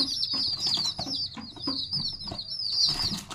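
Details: Chicken chicks peeping together in a dense, continuous high chorus of rapid, overlapping cheeps, with soft low thumps and rustling beneath.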